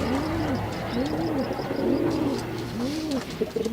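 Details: Displaying male pigeon giving a steady series of soft, arched coos, one roughly every second, low and rounded, over a constant low hum and faint twittering of other birds.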